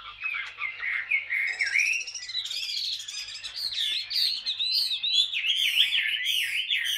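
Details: Chinese hwamei, old wild-caught bird held two years in a cage, delivering ngũ trường song: continuous loud warbling with looping, rising and falling whistles and crisp high chips interspersed throughout.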